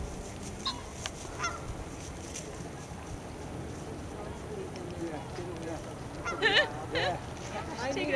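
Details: Sandhill Cranes feeding in a field near Rio Grande Nature Center State Park, Albuquerque, New Mexico, USA, give loud, rolling, trumpeting calls, a few bursts near the end, over steady background noise and a faint voice.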